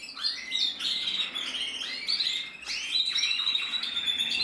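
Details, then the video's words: A male canary, red-black mosaic, sings short upward-sweeping whistled phrases and bright chirps in quick succession, with brief pauses between bursts. "Kanarienvogel Rot-schwarz schimmel 2022"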